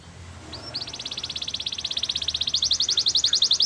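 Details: Canary song heard more distantly over a hissy background: a long rapid high trill, pulses speeding slightly, running steadily for about three seconds.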